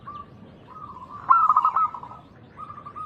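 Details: Zebra dove of local stock singing loudly, played to draw replies from other doves. A sustained mellow tone swells into a quick stuttered coo burst, then settles back into the held note.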